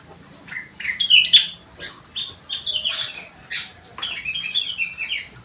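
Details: Sooty-headed bulbul singing a song tutored with rengganis and cucak wilis material: short bright whistled and chattering phrases in bursts, with brief pauses between them, against a quiet background.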